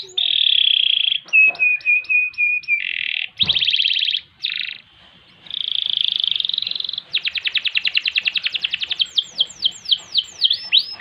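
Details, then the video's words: Domestic canary singing a varied sequence of buzzy trills, flat whistled notes, a harsh click, steady rattles and a closing run of falling whistles, loud and continuous, used as a tutor song. "Kenari Gacor Panjang Ngerek Ngerol Nembak Mantap Buat Masteran dan Pancingan | Bird Singing"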